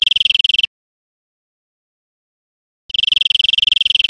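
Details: European Greenfinch from Spain, 2013: a short, buzzy trill that stops after about half a second, a two-second silence, then a longer, rasping rapid trill of evenly spaced notes.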